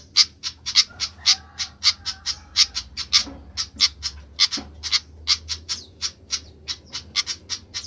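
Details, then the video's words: Sikatan flycatcher making a racket, a fast run of clipped, harsh tick notes, roughly two per second and irregular, continuing without pause over a faint low hum. "ADA APA DENGAN BURUNG SIKATAN INI KOK RIBUT"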